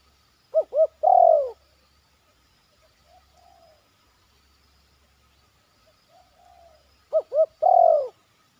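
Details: A zebra dove trainee in a yard, cooing in 'batuk' and point style. Two short clipped notes lead into a drawn-out, descending, rich coo, given twice about six seconds apart, with faint soft notes between.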